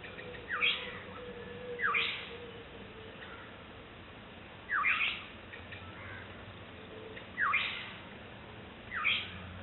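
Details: Black-headed oriole calling to its chick, April 2006, five short, bright, rising calls at irregular gaps of one to three seconds; white-breasted waterhen in background, faint low steady hum.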